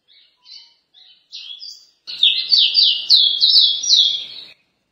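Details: Caboclinho (capped seedeater) opens with a few faint, separate whistled notes, then bursts into the paraense song, a fast loud chain of high descending slurs lasting about two and a half seconds.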